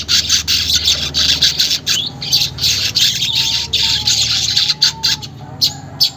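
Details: Weaver song used as a prompt so caged weavers begin singing soon: fast, irregular bursts of scratchy, sizzling chatter, about two or three per second, with faint thin whistles underneath in the second half.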